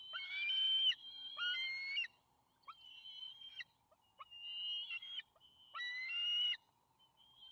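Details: Two juvenile bald eagles at their nest on May 28, 2020, calling as their father arrives with a fish. Loud, high, harmonic squealing calls in bursts of about a second, each ending in sharp chirps, separated by short pauses.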